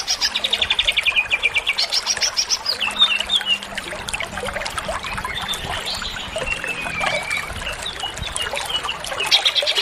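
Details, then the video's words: Greater green leafbird singing a varied, full sequence: a rapid buzzy trill at the start, then mixed chattering and gliding whistled phrases that continue without pause, with a later burst of rapid notes. "suara burung cucak ijo gacor full isian"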